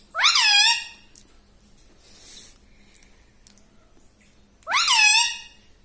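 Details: Talking pet parrot uttering a loud, squawky, downward-sweeping syllable, a long pause with faint background noise, then a second similar sweeping squawk.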